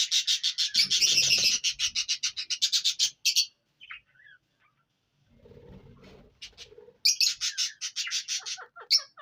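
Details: Indian ringneck parrot in Punjab, Pakistan, delivering a long rapid train of harsh grating screeches, a quiet gap with faint low rustling, then another burst of loud shrieks.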